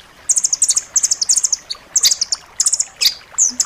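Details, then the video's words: Rambatan loreng nuthatch in a dense, sharp tutor recording for pet birds: clusters of quick, very high chipping notes, with a few sliding whistled notes near the end. "suara masteran rambatan loreng rapat tajam"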